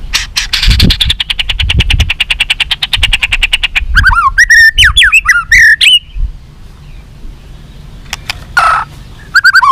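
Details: White-rumped shama in long, fight-provoking song: an opening burst of rapid buzzy repeated notes, followed by twisting whistled phrases, a pause, then a few more whistles; low thumps underneath.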